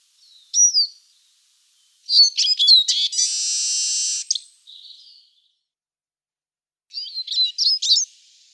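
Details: Eurasian siskin (Spinus spinus) giving high, bright twittering phrases of quick chirps and slurred notes, then a drawn-out buzzy wheezing note lasting about a second, a soft short note, and a closing burst of twitters over a quiet background.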